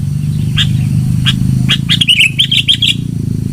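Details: Sooty-headed bulbul song used as a lure: scattered sharp notes then a run of bubbly chirps near the end, over a steady low hum.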